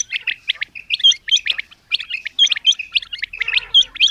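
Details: Female common quail, known locally as batair, calling in repeated short phrases of clipped chirps, each group capped by a thin upswept whistle, recurring roughly every second and a half.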